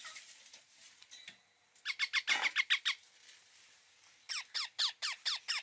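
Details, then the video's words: Indian ringneck parakeet calling: rapid runs of harsh, descending squawks in bursts of about eight, a louder screech in the middle, with softer chatter at the start. "1 hour parrot sound | ringneck"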